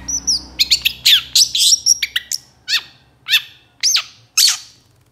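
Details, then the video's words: Moulting long-tailed shrike in full song, played to stir other shrikes to sing: a dense run of twittering and whistled notes, then single sharp, steeply swept calls spaced about half a second apart. "PANCINGAN SUARA CENDET MABUNG GACOR❗️ MASTERAN CENDET GACOR DOR 100% AMPUH UNTUK PANCINGAN PENTET"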